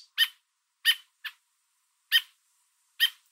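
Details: An American robin parent perched on a fence with food in its beak calls to its fledgling and warns a nearby person to back away, in Southern Ontario, Canada. Loud, sharp, harsh notes sound singly at uneven intervals in a quiet setting.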